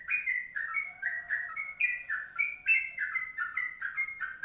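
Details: Kongslet-style song from a sooty-headed bulbul, sung long and continuously: quick bubbling two-part whistles in a steady string, with a faint low hum partway through and soft high ticks.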